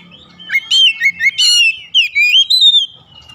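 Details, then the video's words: Oriental magpie-robin (Kacer) kept at home, song played as therapy to prompt a reluctant bird to sing: loud whistled phrases with rising and falling slurred notes and sharp upward chips, one burst of about two and a half seconds. "terapi kicauan Kacer | memancing Kacer rumahan susah bunyi langsung gacor"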